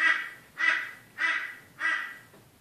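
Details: Four loud, harsh caws evenly spaced about every 0.6 seconds, each short and grating, from a crow attacking its own reflection.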